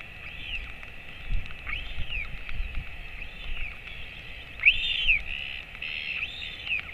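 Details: Adult royal albatross feeding a chick hatched 23 January 2024, filmed at the colony late morning on 28 August 2024; soft arched calls build to a louder one near the end, with gusts of wind.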